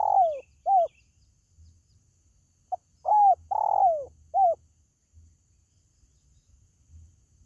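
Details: Lure call of a spotted dove for pet birds: two arched coos, a pause, then a full phrase of clipped note, arched coo, long rough descending coo and short arched coo, repeated soft and low over faint rumble.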